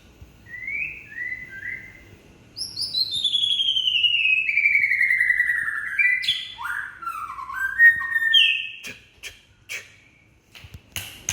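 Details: White-rumped shama of the Aceh type singing in the energetic gebrak style: a series of clear whistled notes, then a long gliding, descending whistle, followed by sharp ringing phrases and clicks.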